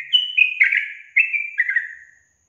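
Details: Yellow-vented bulbul singing, a recording meant to coax silent caged birds into song: rich, bubbling whistles in two connected phrases that trail off, gently falling in pitch.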